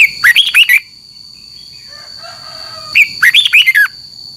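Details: Red-whiskered bulbul fighting song at dawn, used for training birds: two brief bursts of fast, sweet, slurred whistles two and a half seconds apart, a faint low hum between them.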